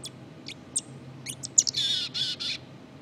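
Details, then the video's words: Black-capped chickadee subsong: scattered thin high chips, then three buzzy, harsh bursts in quick succession near the end, over a low steady hum. "Black-Capped Chickadee Sub-song"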